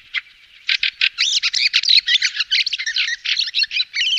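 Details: Fieldfare giving a dense run of harsh, squeaky chattering notes that start sparse and become a near-continuous scratchy jumble of short buzzy and whistled bursts, with no other clear sounds.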